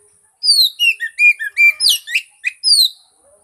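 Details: Oriental magpie-robin song used as a lure to prompt a silent bird to sing: a loud run of about ten bright whistled notes, some sliding down and some rising, with a harsh burst near the middle and a steady high hiss behind.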